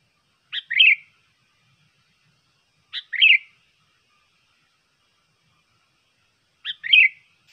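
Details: Sooty-headed bulbul song meant to lure birds. Three short phrases come at spaced intervals, each a crisp lead note and then a bubbling, slightly descending warble. The background is silent.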